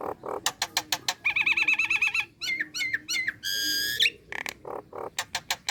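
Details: Female Nias hill myna calling for a male, good for luring: sharp clicks and knocks, a rapid warbled trill, twisting whistles, a loud buzzy note, then more rhythmic clicking notes.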